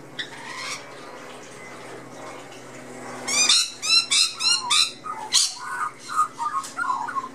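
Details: Australian magpie chick in a back garden, chatting among lorikeets and blue-faced honeyeaters: after a quiet start, a burst of loud, harsh, ringing calls repeats in quick pulses, then gentler mid-pitched warbled notes follow.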